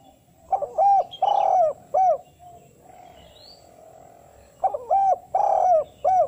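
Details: Repeated calling coo of a spotted dove, used to draw wild doves to answer and mimicking a call to females: two three-note phrases of soft, long-wavering and arched coos about three seconds apart, with faint high chirps behind.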